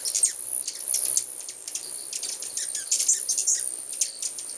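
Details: Many hummingbirds crowding around a house in 2010 give scattered shrill chips and short squeaky twitters, some notes sliding downward, over a continuous high hiss.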